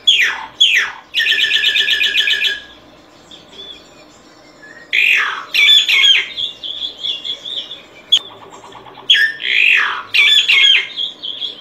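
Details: Singing solitary cacique: quick downslurred notes, a long rapid buzzy rattle, a quiet pause, then harsh descending squawks and chattering phrases repeated in bursts.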